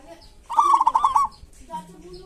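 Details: Local zebra dove singing in the kerot and bekur style, used as a lure for quiet doves: a rolling burst of quick cooing notes, followed by lower, softer coos from other birds.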